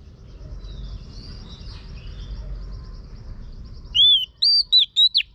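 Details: Female Oriental magpie-robin calling to excite a male into singing. Low background murmur gives way at the end to one crisp run of four to five arching whistled notes.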